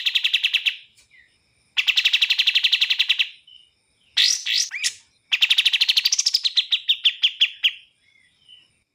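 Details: Bar-winged prinia song in bursts: several fast trills with pauses, scratchy sliding notes in between, and a final trill that drifts lower and slows.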